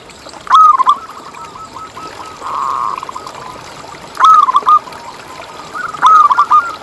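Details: Zebra dove singing, played as a lure so other zebra doves keep calling. Stuttered, rolling coo phrases of quick pulses, each starting loud, return at irregular intervals. A steady softer trill fills the gaps.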